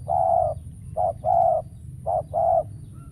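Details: A trapping decoy spotted dove coos to lure wild doves, which fail to show. Deep, smooth notes: one long coo, then two pairs of a short note and a longer one, evenly paced, with a low rumble underneath.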